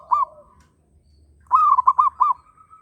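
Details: Zebra dove, local bird in strong breeding condition, others joining in: one brief coo, a pause, then a lively phrase of five quick rolling notes ending in a held soft tone.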